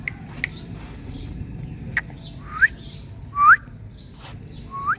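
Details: Indian ringneck parrot reacting to its mirror reflection: a few short, clear whistles rising sharply in pitch, spaced about a second apart, between faint clicks and a low background hum.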